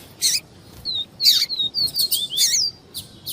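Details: Double-collared seedeater giving viviti song with female calls: harsh broadband chips alternating with short high descending whistled slurs, several in quick succession.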